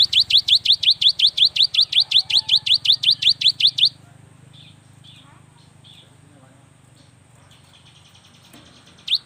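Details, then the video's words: Young cinereous tit singing to stimulate lazy birds: a fast, steady series of sharp high notes, roughly four per second for four seconds, followed by near silence with faint distant chirps. "inilah SUARA yang PALING DI SUKAI BURUNG GELATIK"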